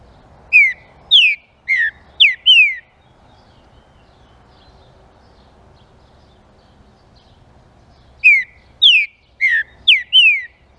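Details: A green-winged saltator repeats its stimulating song twice, each phrase five bright, downward-slurred whistles in quick succession, separated by about five seconds of near silence with faint background hiss.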